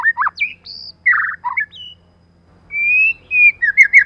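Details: White-rumped shama, female used to lure, uttering sharp whistles and harsh buzzy bursts, a silence, then long smooth whistles and a rolling warble.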